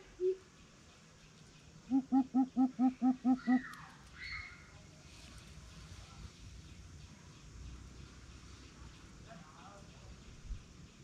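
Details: Greater coucal in a challenge, giving a quick series of seven deep, even hoots over about a second and a half, followed by faint rustling and background hiss.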